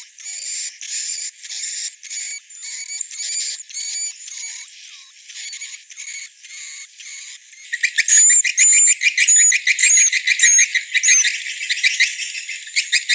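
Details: Swiftlet mating (birahi) lure call for attracting swiftlets: evenly spaced buzzy chirps with a thin whistled overtone, about two per second, then turning into a dense, fast chatter of overlapping twittering notes.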